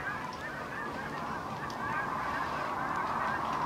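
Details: Cranes seen from a blind near Wood River on Saturday, March 8, landing in the distance: a dense, continuous chorus of rolling, overlapping calls from a large flock, swelling louder toward the end.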